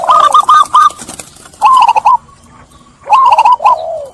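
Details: Zebra dove cooing, used as a lure sound to get doves stressed by trapping to coo again: three bursts of rhythmic, clear, mellow cooing notes in rapid groups, repeated about every one and a half seconds.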